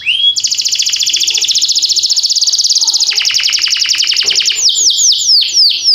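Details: Canary singing a training song in timbrado style: a long, fast rattling trill lasting several seconds, followed by a few separate downward-sliding whistled notes.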